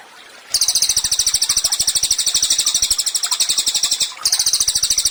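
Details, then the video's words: Pygmy tit tutor song for songbirds: after a short silence, an extremely high, sibilant, fast-pulsed trill runs for over three seconds, breaks briefly, then resumes. "CILILIN GACOR, MASTERAN HANDAL UNTUK BURUNG KICAU."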